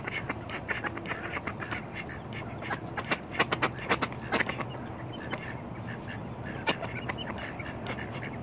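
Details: Male mallard drake standing his ground defensively, giving many quacks: short harsh nasal bursts in irregular clusters, several close together around the middle, over a steady background rumble.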